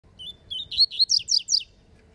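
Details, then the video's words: Rusty-collared seedeater in a song dispute, described as a spirited bird: a few thin rising whistles, then a quick run of five loud, sharp, slurred high notes, each about a fifth of a second apart, with faint low background rumble. "COLEIRO FALCONE DISPUTANDO"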